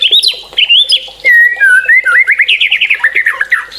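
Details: White-rumped shama giving loud whistled phrases that slide smoothly up and down, then a fast stuttering series of repeated chopped notes, about a dozen in quick succession.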